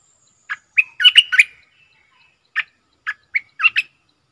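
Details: Streak-eared bulbul kept as a lure bird for trapping wild birds and training young birds, singing a fast bubbly whistled phrase, then a looser series of single and paired chirps.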